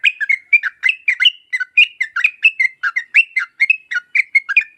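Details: Continuous, excited song of a yellow-vented bulbul in a lure recording: jumbled bright whistles and chirps tumbling at a quick, uneven pace.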